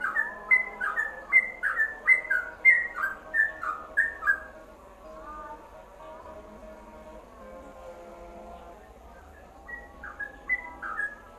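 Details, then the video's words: Yellow-vented bulbul singing a ropelan-style combination for masteran tutoring: bubbly, whistled two-note phrases repeated about once every half second for four seconds, a faint steady hum beneath, then a quieter pause before two more short phrases. "Kombinasi Ropelan Trucukan WK untuk Masteran"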